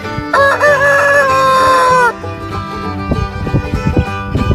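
A rooster gives one loud crow of about two seconds: a few clipped notes, then a long, strained, harmonic note that drops at the end. Banjo music follows.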